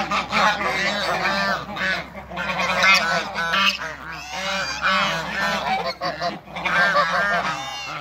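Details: Farm flock of African and Toulouse geese greeting another animal: harsh, blaring honks pour out in dense overlapping bursts, swelling and briefly dipping. A faint low hum sits in the background.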